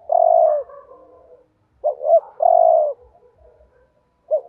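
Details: Spotted dove decoy giving provoking coos aimed at rival males. A long mellow croo trails into soft murmurs, then a double hoot and another long croo follow. A fresh double hoot starts at the end.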